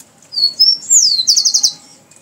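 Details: Loud, close Rufous-collared sparrow: a pair of thin whistled notes, a sweeping downward slide, then a brisk trill of evenly spaced notes lasting about half a second.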